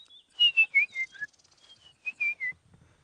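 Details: Two White-browed Scrub Robins on a morning safari drive, 7 Dec 2016, give two quick bursts of clear, high whistled notes, each slurring downward, separated by a short pause; a faint low rumble follows.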